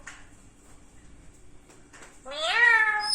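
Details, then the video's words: Parrot talking while sitting in a kitchen: after quiet room noise and soft clicks, one rising, nasal, meow-like vocalization with strong harmonics swells loudly near the end, over a faint steady high hiss. "parrot talking കിച്ചണിൽ വന്നിരിന്നു സംസാരിക്കണത് കേൾക്കു ഞെട്ടും"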